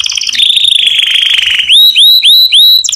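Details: Canary song played to teach canary chicks to sing: a bright, fast buzzy trill opens and runs steadily, then four loud rising whistled notes repeat quickly in a row before a short rattling trill closes the phrase.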